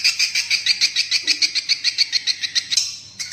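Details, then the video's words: Swiftlet lure call used to attract swiftlets to roost: rapid, high, sharp chirps repeated about three to four times a second in a steady run, briefly breaking off near the end before resuming. "suara panggil burung walet untuk mengginap kan paling ampuh"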